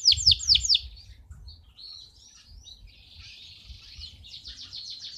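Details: Male canary in fired-up song, used to teach young canaries and excite females: a quick burst of swept notes, a quieter wavering warble, then a renewed fast trill.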